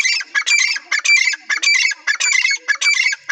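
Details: Partridge (teetar) calling loudly: harsh, scratchy bursts repeated about twice a second in a steady, rasping rhythm, with short gaps between phrases and no other clear sounds.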